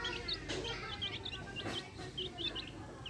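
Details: Backyard hens with chicks: short, high, chirpy peeps from the chicks repeat several times a second, with a few soft broadband rustling bursts underneath.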